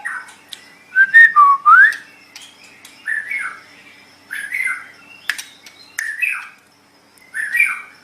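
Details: White-rumped shama, locally murai batu, singing as training material for cage birds: a loud rising-and-falling whistled phrase, then short slurred notes repeated about once a second, with sharp clicks between.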